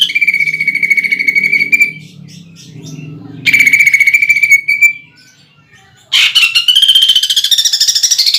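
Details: Greater green leafbird contest lure song with rolling bursts. Three long, steady, buzzy trills are separated by short pauses. The last trill is harsher and rises in pitch.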